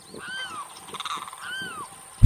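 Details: Limpkin in Florida giving two loud, wailing cries, each a slightly arched, harmonic-rich note about half a second long, separated by a brief pause, over low rumbling background noise.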